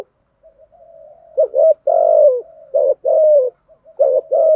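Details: Soft, low murmured notes open, then a decoy spotted dove coos loudly in luring wild doves: short notes mixed with long, smooth coos that drop in pitch at their ends.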